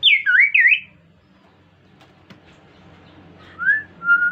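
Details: Kaso-kaso bird in gacor song used to encourage other birds to sing: two bright, looping whistled notes, a quiet gap with faint clicks, then a rising whistle and a level one.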